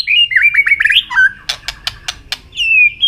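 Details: White-rumped shama in contest singing with tail flicking, a string of quick looping whistled notes followed by several sharp clicking snaps, then a long sliding whistle at the end.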